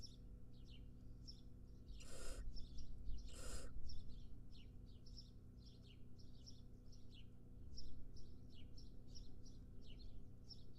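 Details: A wild barn owl nestling lets out two harsh hisses in quick succession near the start. Busy, high chirping of small birds continues throughout.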